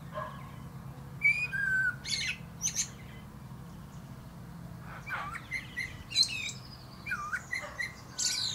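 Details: Song of a male common blackbird atop a plum tree: low fluty whistles mixed with scratchy high twittering, in two bursts separated by a quieter pause.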